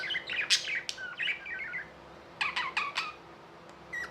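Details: Pet budgerigars uttering scattered chirps and squeaky notes, a short warbled run early, then a burst of sharp clicky calls and a final high note.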